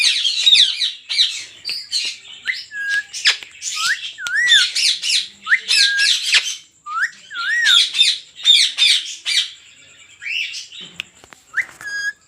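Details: Rose-ringed parakeets kept at a 400-pair breeding farm, a dense chorus of rapid harsh squawks and shrieks with clear whistled wavy notes mixed in, many birds calling together without pause.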